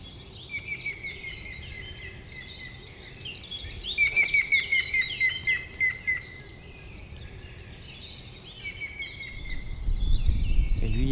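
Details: A grey-headed woodpecker in spring gives its territorial series of about nine clear, plaintive whistles that fall in pitch and slow slightly; other small birds chirp, with low rumbling noise.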